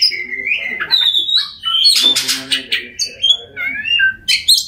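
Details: Oriental magpie-robin song used to stimulate mute birds: sweet whistled notes and slurred phrases mixed with a short harsh burst and some faint background murmur.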